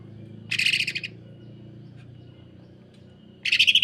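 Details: Greater green leafbird singing 'kasaran rapat mesin jahit', a dense, rough, sewing-machine-like style used to tutor and provoke other leafbirds. Two short bursts of rapid buzzy pulsed notes, about half a second each and three seconds apart, with a low background hum.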